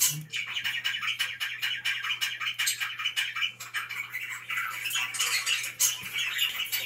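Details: Several budgerigars chattering together inside a room, a busy stream of buzzy warbles, chirps and short squawks without pauses, over a constant low hum.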